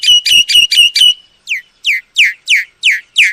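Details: Myna calls used to lure birds for trapping: five quick flat whistled notes followed by a steady series of loud, sharply descending whistles.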